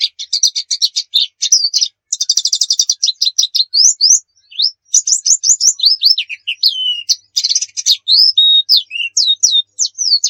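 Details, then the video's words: Oriental white-eye in energetic song for tutoring other birds. Fast buzzy trills and chattering runs mix with high upslurred and downslurred whistles, delivered almost continuously. "suwara burung pleci gacor cocok buat masteran"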